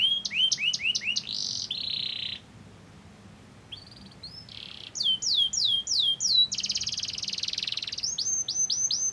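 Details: Canary song played to get other canaries singing, mixing rapid downward-slurred whistles, buzzy steady tones, quick repeated sweeps and a dense trill, loud and varied throughout.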